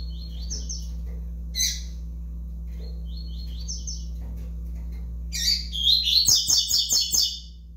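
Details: Five-month-old double-collared seedeater: soft, high trilled phrases repeat every couple of seconds, then a loud, fast burst of sharp, buzzy notes tumbling rapidly in the final two seconds, with clicking sounds and a constant low hum.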